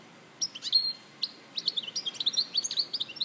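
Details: European goldfinch from Larache, recorded in 2014, singing a rapid high twittering run of chirps and short slurred notes, starting after a brief pause and gathering pace over light background hiss.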